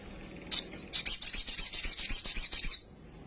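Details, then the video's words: Agitated sunbird, kolibri sogon, singing with full fill-ins. A thin high note opens, then a sustained, shrill, rapidly pulsing trill runs about two seconds, ending in a faint short chirp. "PANCINGAN BURUNG KOLIBRI SOGOK OTONG BAHAN CEPAT EMOSI BUNYI FULL ISIAN SOGON NGELEPER"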